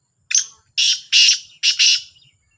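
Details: Black francolin, known as kala Sindhi teetar, one of two birds calling in competition: a harsh, grating phrase of five rasping notes, a short opening note followed by two pairs of longer buzzy bursts, against a silent background.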